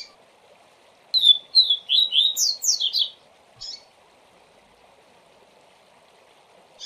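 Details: Double-collared seedeater singing a tutor song for young birds to learn, in the 'Tui Tui Zel Zel' style: a quick run of clear, high whistled and slurred notes lasting about two seconds, then one short note, over a steady low hum.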